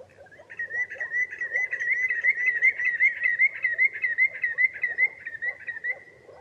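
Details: Common greenshank calling: a fast, steady run of ringing whistled notes held near one pitch, about two and a half per second for six seconds. Softer, lower chattering sounds run beneath it.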